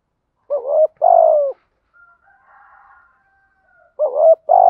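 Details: Decoy spotted dove cooing to lure wild doves: a paired low coo, a short wavering note and a longer falling one, then a faint soft tonal sound in the gap before the next coo begins.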